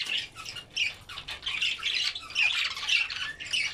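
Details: Red-eyed albino budgies feeding on greens give rapid squawky chirps in bursts, several birds calling at once, swelling and dipping every half second or so.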